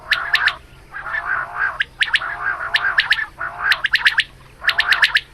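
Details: Female quail heard in the morning, a hunting recording: long harsh rasping stretches broken by bursts of sharp, high clicking notes in groups of three to five, over a low hum.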